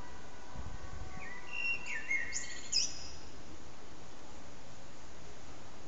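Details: Common blackbird perched on a rooftop antenna, singing for nearly three hours with short breaks; a brief fluty phrase slides around mid pitch, then ends in a high, thin twitter, over steady low background hum.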